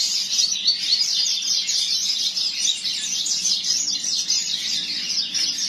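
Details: Double-collared seedeater, a tournament-singing bird from a breeder, giving a dense, continuous stream of rapid, high twittering and chirping notes with no pauses throughout.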